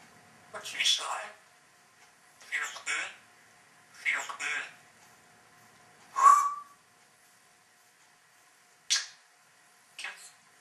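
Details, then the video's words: Female African grey parrot alone in her cage, talking to herself and practising new words while her owner is out: six short bursts of speech-like chatter about two seconds apart, one with a brief clear whistled note, in a quiet room. "African Grey Parrot Talking and having conversation while in her cage"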